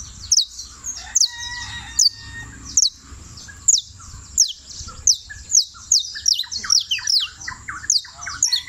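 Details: Saffron finch known locally as canario criollo, a champion bird from Turbo, Antioquia, delivering a lively string of high descending chips that speed up toward the end, with some lower tonal notes early on.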